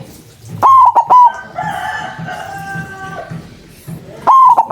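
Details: Loud white zebra dove as a lure for trapping doves: two strong broken coos, three notes each with a held tail, separated by a longer harmonic call from another bird in the background.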